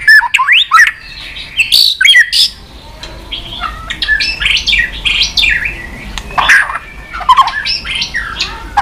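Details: White-rumped shama in continuous 'tạch' song meant to fire up a listless shama and make it flick its tail; a dense jumble of overlapping warbled, chattering and harsh notes runs throughout with little pause.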